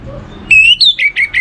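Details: A short phrase of lure song from an orange-headed thrush, meant to spur other songbirds into singing: a sustained bright whistle, then a string of quick repeated whistled notes, each slurring slightly downward, over faint low hum.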